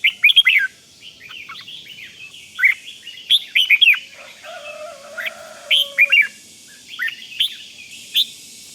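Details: Red-whiskered bulbul in the 'rik' calling style used to rouse other bulbuls. Loud clipped chirps and down-slurred notes come in short bursts, with a flat steady tone near the middle and quieter twitters between phrases.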